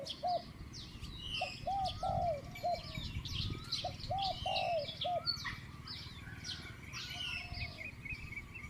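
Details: Decoy spotted dove, caged for trapping wild doves, cooing in its middle-voiced 'kuk' style. It gives two phrases of three to four quick hooked notes, then falls quiet while many small birds keep chirping and twittering above.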